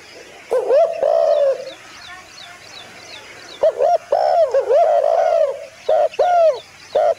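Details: Dove calling in bursts of short, arched, nasal notes with rich overtones, some drawn into a wavering held tone, separated by quiet gaps.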